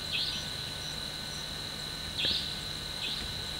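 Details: Wild Franklin's nightjar, a female with her chicks on a forest floor at night: three short, sharp, slurred high notes, one near the start and two around two and three seconds, over a steady high insect drone.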